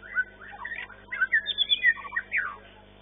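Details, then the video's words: Competition-winning white-rumped shama of the long-tailed class, caged at a singing contest, delivering a rapid run of clear whistled and slurred notes, rising and falling, densely strung together. "MARTABAT MURAI MANIA-SESI 9 JUARA 1 KELAS MB EKOR PANJANG EXSOTIS"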